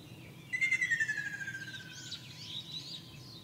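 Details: Ruddy kingfisher singing in Shizuoka Prefecture, Japan, on 2 June 2024, with several birds in the wide area: a pulsed, rolling trill that slides steadily downward over about one and a half seconds, with high chirps of other birds behind it.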